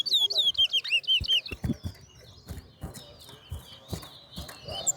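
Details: Towa-towa seed finch in a bird race at New Amsterdam bird ground opens with a loud run of rapid, looping whistled notes, then softer twittering continues amid clicks, knocks and a man's voice counting.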